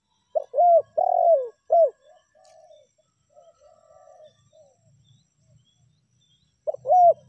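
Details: Tekukur lure recording of a spotted dove in meratus and melambung styles: one loud four-note coo phrase, then quieter distant cooing notes in the pause, and the loud phrase starting again near the end.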